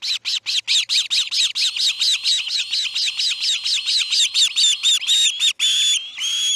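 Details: Osprey calling at the Charlo nest around a chick's fledging, August 10, 2018, 6:03 am: a long, steady stream of piercing whistled chirps, about two per second, ending in a few longer thin whistles.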